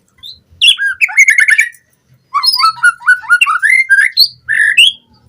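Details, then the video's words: White-rumped shama song as a fast training lure for captive birds: a burst of rapid trilled notes, a short pause, then a lively run of repeated rising whistled phrases. "Pancingan Murai Batu Cepat BONGKAR ISIAN Buat Masteran Suara Burung Murai Agar Gacor Full Isian"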